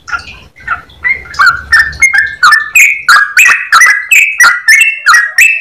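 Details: Quiet opening notes build into loud, clear 'ropel' song from a yellow-vented bulbul, a long rapid sequence of bright, ringing notes about three a second.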